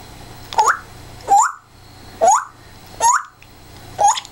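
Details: African grey parrot, a pet bird, giving loud rising squawks about every 0.7 seconds, each a sharp upward-sweeping note with a noisy edge, while someone talks and laughs nearby in a room.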